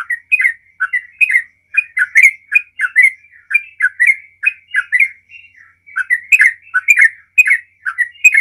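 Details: Yellow-vented bulbul delivering long 'ropel' song to lure other bulbuls into singing: a steady stream of liquid, gurgling, down-slurred chirps at about three per second, with one brief gap midway. The recording is otherwise clean.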